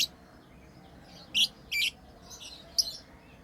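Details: Pet lovebirds at play give a few short, sharp, high chirps, two louder squeaky notes close together, then softer scattered tweets.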